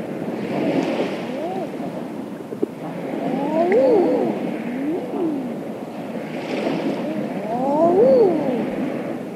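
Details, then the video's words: Eiders calling on the water offshore on a late spring evening: soft arched cooing calls, rising then falling, come in loose bursts every few seconds with overlapping birds, over constant waves. "Evening Eiders Calling On Water With Wingflaps And Waves"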